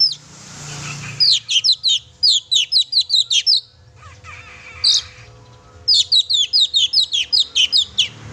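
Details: Oriental magpie-robin in vigorous song as a lure for pet birds: long rapid runs of sharp, high chirping notes, about two to three a second, split by a short quieter pause.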